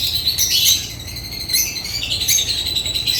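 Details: African lovebirds chatter in fast, high-pitched chirps and squeaks, loud at the start, dipping in the middle, then rising again.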